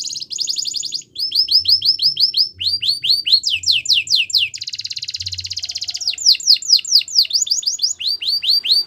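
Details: Caged Belgian canary delivering varied song tours: quick rolled trills, repeated falling whistles, and a dense buzzy rattle, all loud and close with hardly any background.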